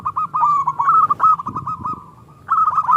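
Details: Local zebra dove singing a lure song in the small 'klung' style, used to provoke other doves into singing: rapid stuttering mid-pitched cooing notes in two bursts, with faint low background hum.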